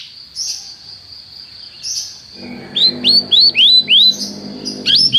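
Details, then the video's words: Canary song for training: a faint sustained high whistle with soft chirps, then a short run of clear, rising-then-falling notes about three per second over a low background hum. "professor para o seu canto canário em breve - o melhor treinamento canário"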